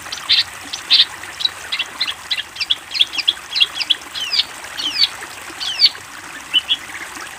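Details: Long-tailed shrike master recording for training young birds: varied, scratchy chirps and short looping whistled notes come at an uneven pace, some doubled, and the song is fairly quiet.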